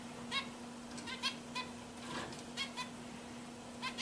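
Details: Several pet zebra finches singing; quiet, nasal, buzzy notes rise in short bursts of one to three at a time, over a steady low electrical hum and faint background noise.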